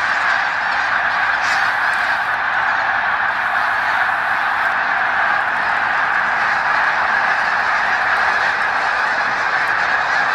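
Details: Thousands of snow geese flying over the St-François River near the Hemming Falls dam in Drummondville, Quebec, in November 2012 on their autumn arrival, recorded with a Canon PowerShot SX40 HS; a dense, unbroken chorus of overlapping honks at steady loudness.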